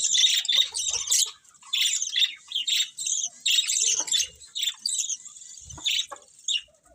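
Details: Several colourful pet budgerigars chirping together, a dense mix of quick high twittering notes and short scratchy squawks in overlapping bursts, with brief quieter gaps.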